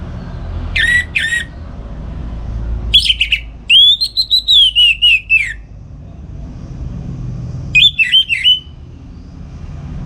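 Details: Orange-headed thrush singing in the morning at home, used to train other songbirds; three bursts of loud whistled phrases, the middle one a long sequence of rapid repeated notes that waver and fall, with low background rumble.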